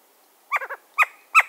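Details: Western screech-owl, agitated, giving harsh, downslurred barks, a quick run of three and then two single notes, mixed with sharp bill-clap snaps.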